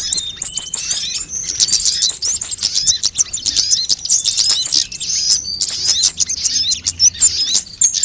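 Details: Extended sunbird chatter from a recording of many sunbird kinds, made as bait and as a model song: continuous, very high, metallic chirps and rapid trills, varying in rhythm, with only short breaks.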